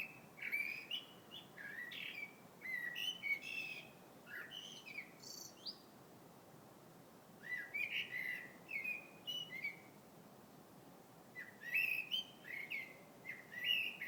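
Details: A bird in February sings long bouts of varied chirps, trills and whistled slurs, several dense phrases with brief pauses between them, over a faint steady hiss.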